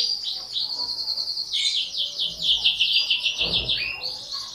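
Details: Canary song made of fast high trills and rolling repeated notes that shift pitch in steps, with a brief low thump of background noise near the end.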